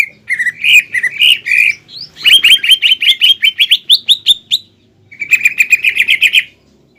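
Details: Green leafbird in full song, with fighting-style mimicry of sparrow, ciblek and kapas tembak, used to provoke another leafbird into anger. Rapid strings of bright, chattering notes repeat quickly in three bursts separated by short pauses.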